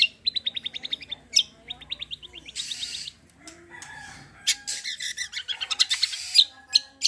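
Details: Gacor cucak kombo song, full tembakan and besetan, a lure for untrained birds: quick evenly spaced note trains, then harsh noisy bursts and dense high chattering.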